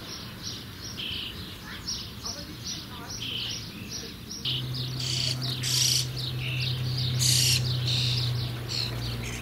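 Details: Young common starlings (Sturnus vulgaris), nestlings soon to fledge, give rapid, harsh, raspy bursts, almost two a second, rising to loud hissing peaks toward the end, over a steady low electrical hum.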